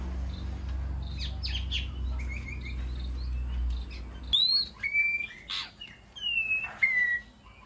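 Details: White-rumped shama calling to the flock inside an aviary, with soft chirps over a low hum, then clear slurred whistles and sharp chips after it stops.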